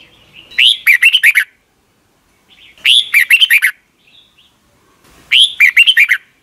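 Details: Caged Red-whiskered bulbul song from Thailand used to teach young birds; rich whistled phrases with rising and falling warbles, delivered three times at roughly two-second gaps against a quiet background.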